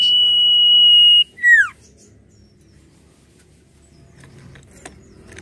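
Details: Common iora singing nyiul style, a recording meant as a lure sound for bird training: one long, steady high whistle that snaps into a quick downward slur, then only faint low background noise.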